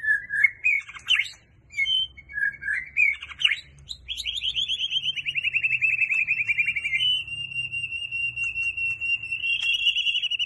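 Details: White-rumped shama song that keeps switching its voice: short whistled notes and quick slurred phrases, then a long, even rapid trill that holds a steady pitch for several seconds.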